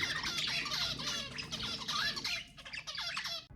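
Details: Budgerigars calling to prompt mating: a continuous, dense wash of rapid warbling and scratchy chirps that thins near the end and then cuts off abruptly.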